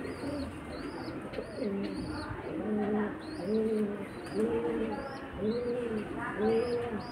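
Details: Pigeon chicks pecking at their mother for food while she struggles to feed them: thin, arched squeaks repeat high above soft, rounded coos that come about once a second over steady background noise.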